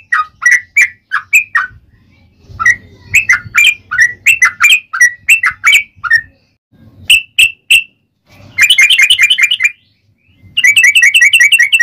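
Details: Yellow-vented bulbul in fighting mood, used to provoke other bulbuls to sing: bubbly chattering phrases followed by two rapid buzzy rattling trills.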